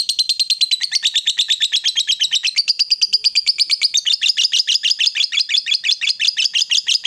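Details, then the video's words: A female fighter lovebird chatters on without pause for seven seconds in the long ngekek style used to provoke rival birds, its shrill, rattling notes pouring out at a fast, even pace. "SUARA LOVEBIRD BETINA FIGHTER, Bikin Lawan Tak bisa Nahan Emosi, Nyaut Bunyi Ngekek Panjang"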